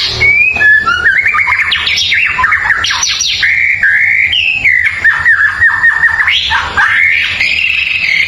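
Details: White-rumped shama song for training other songbirds and provoking neighbours' birds: a continuous fluid warble of whistled notes wandering up and down, with quick chattering inserts throughout.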